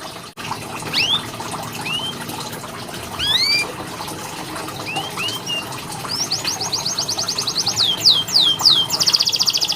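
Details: Canary tutoring song heard more faintly over background hiss: scattered upslurred notes, then a quickening trill of sweeps and a buzzy roll at the end.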